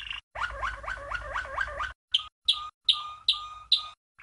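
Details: Champion Malinois (Waterslager) canary from 1997 in a training song for youngsters: a looping, bubbling rolled phrase, then a series of five short sharp notes, each with a low steady tone beneath, spaced about every half second.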